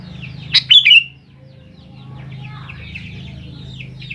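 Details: Sooty-headed bulbul lure song for young birds: one loud, quick, liquid phrase followed by soft, rambling twitters over a low steady hum.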